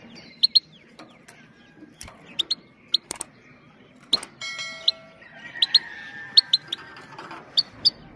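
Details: Steady sharp 'pit' notes from a female Himalayan goldfinch, given to arouse males and teach young birds, coming singly and in pairs through the clip; a brief ringing, bell-like tone sounds midway.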